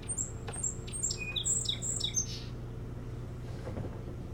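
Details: Osprey at a nest on a 30-foot tower on Hog Island near Bremen, Maine, on 21 July 2018 around 10 a.m., gives a quick run of about a dozen thin, high whistled chirps over two seconds, then silence over a steady low hum.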